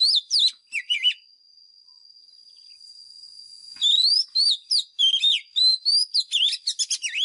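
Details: Lure White-rumped shama in fighting song, used to train caged birds: a short phrase of looping whistles, a quiet gap of nearly three seconds, then a long fast sequence of rising and dipping whistles and chips; a steady high tone persists.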